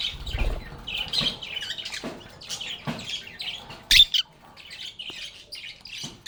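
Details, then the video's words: Lovebirds chirping and chattering, a steady stream of thin high twittering notes broken by one loud sharp squeak near the middle, with a soft low rumble at the start. "Lovebirds agapornis sounds"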